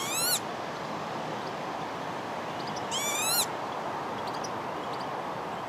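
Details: A northern lapwing with chicks gives two wheezy, slurred, harmonic-rich calls about three seconds apart, with a few faint high notes after, over steady wind rush.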